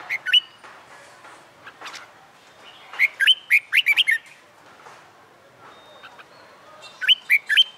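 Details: Wild-caught red-whiskered bulbul, caged about a month and practising competition song, sings three bursts of lively, looping whistles, the longest with six rapid notes, separated by quiet, scratchy sounds.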